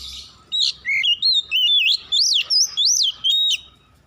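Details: Dusk song of an Oriental magpie-robin: a rapid series of sweet, wavering whistles with steep rising and falling inflections, about a dozen phrases packed into three seconds.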